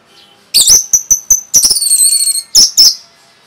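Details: Rapid song of a kept Orange-headed thrush, used to stir other birds: loud explosive high notes with clipped whistles, a brief sustained twittering warble, then two more emphatic sharp notes.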